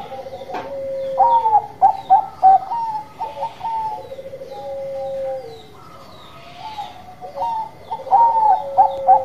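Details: Zebra doves of the Bangkok type singing vigorously: loud ringing coo bursts, rapid stuttered notes and long falling whistled tones, a quieter gap mid-phrase, then loud overlapping coos resuming, more than one bird audible.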